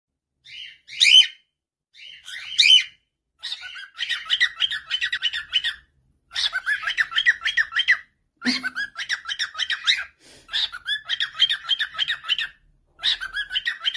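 A female cockatiel gives harsh, scratchy chattering calls in bursts, with a few sharper screeches at the start.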